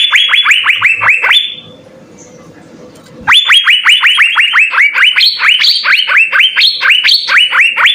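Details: Energetic Asian fairy-bluebird song full of fill-in phrases, used as master material for songbird training. Quick rising whistles, a short low-murmur pause, then an abrupt resumption into a sustained stream of sharp upslurred notes.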